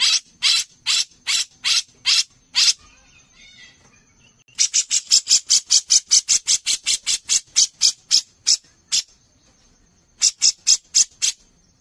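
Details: Brown-cheeked bulbul singing vigorously for use as a songbird contest master: bursts of dry, raspy notes repeated about three per second, a brief quiet gap with faint background rustle, then a long rapid run and a final short burst.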